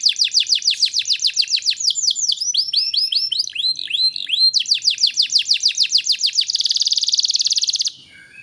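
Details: Canary singing steadily, used to stimulate young birds to sing sooner: rapid downward-swept whistles, then slower looping arched notes, then another burst of quick sweeps, and finally a dense, buzzy high trill about a second long.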